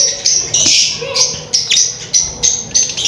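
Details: Mating lovebirds giving sharp, high chirps in quick bursts roughly every third of a second, each a short squeaky note, with faint lower chatter beneath.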